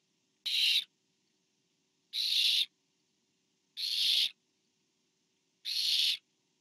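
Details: Barn owl, recorded 24 September 2015 as a parent delivers food to owlet number four: four harsh, broadband hissing screeches, each about half a second, spaced roughly 1.7 seconds apart, with silence between.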